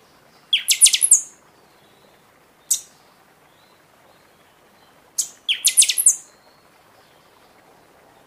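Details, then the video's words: Buffy-fronted seedeater singing heavily in season, for urging caged birds after moult: two bursts of rapid piercing high whistled strokes about five seconds apart, a single thin chip between them, quiet background. "Pixoxó cantando muito na temporada"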